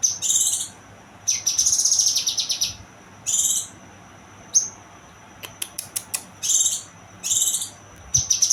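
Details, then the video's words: Young kinoy singing shrill, buzzy phrases alternating with a thin sustained high whistle, several sharp clicks and chirps in between; low background hum. "burung kinoy muda"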